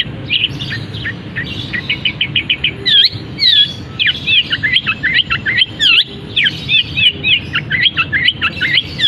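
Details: Long-tailed shrike kept as a cage bird sings imitations of canary and other species: quick series of clipped chirps, then swooping whistled notes and looping rising-falling phrases in a lively, varied stream.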